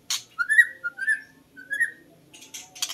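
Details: White-rumped shama singing, recorded as a lure for catching birds. Clear, mellow whistled phrases repeat about every half second, set between sharp clicking bursts at the start and end.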